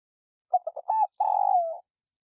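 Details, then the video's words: Spotted dove cooing as a lure call for stimulating caged doves: a few short, stuttering hoots lead into one long, throaty coo that slides slightly downward, with no other sounds. "Cu gáy kích bổi nhanh nổi / cu gáy gọi / tiếng cu gáy mồi"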